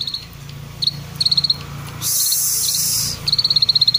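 A Bar-winged prinia gives bursts of rapid, high, ticking notes, about four to six a second. A loud hiss interrupts midway.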